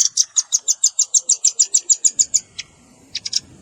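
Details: Velvet-fronted nuthatch lure recording for trapping birds, mixed with juvenile calls: a rapid run of sharp, high ticking notes about three per second, ending with a few scattered, separate chips.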